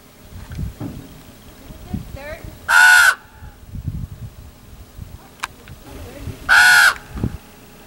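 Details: Common raven at Chaco Canyon, giving two loud, harsh, drawn-out croaking caws about four seconds apart, over quiet background noise and low murmuring voices.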